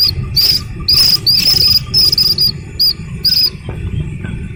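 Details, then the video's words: Young Slaty-legged crake calling in shrill, high, drawn-out peeps, some slightly wavering, given in separate bursts with short gaps, over a low rumbling background. "Suara anak Burung Sintar MP3 || Slaty-Legged crake"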